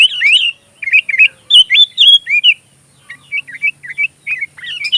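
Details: Sooty-headed bulbul song used to tutor magpie robins: loud, fluty, bubbling phrases with upward-curling whistles, followed by a softer string of quick repeated chirps; a faint steady high whine underneath.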